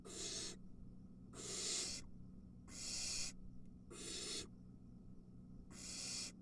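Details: Barn owl nest during a mouse delivery, three nestlings competing for the prey: five harsh, airy hiss bursts, evenly spaced with quiet gaps, over a low electrical hum.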